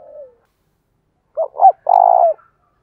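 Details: Spotted dove used as a decoy bird, its cooing meant to provoke other doves to call back quickly: a short falling coo, then after a pause two brief rising notes and a longer steady cooing note, in a quiet background.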